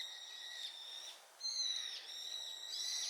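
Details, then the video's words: A brown-eared bulbul answering the loud chorus of a flock gives loud, shrill, drawn-out screeching notes, three in about three seconds, each ringing and slightly wavering in pitch. "群れの大合唱に応えるヒヨドリ ヒヨドリの鳴き声 Brown-eared bulbul sing too loud."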